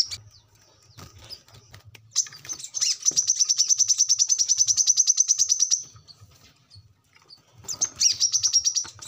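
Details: Brown-throated sunbird song, a recording used to train captive birds: a long, rapid, high-pitched trill of sharp repeated notes, about three per second, followed by a pause and a second shorter trilled burst.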